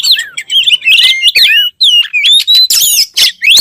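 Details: Energetic oriental magpie-robin (kacer) song: looping whistled glides, a long rising whistle midway, and harsh scratchy bursts, with one short silent gap.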